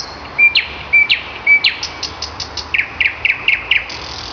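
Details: Morning song of a common nightingale in May: three clear, pure whistles, each followed by a sharp downslurred note, then a run of rapid, evenly spaced chattering notes, over steady outdoor hiss.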